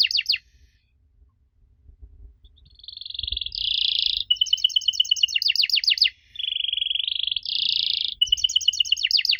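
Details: Canary song used to prompt young canaries to answer: brief slurred notes, a soft rising roll, buzzy trills and fast rattling chains of repeated notes alternating over nine seconds, with faint low background noise.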